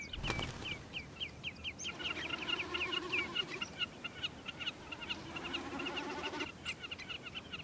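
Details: A Common Snipe gives a hollow, throbbing aerial display bleat, produced by vibrating its tail feathers, pulsing rapidly for several seconds in summer on an open glacial plain, over steady sharp chipping calls from other birds.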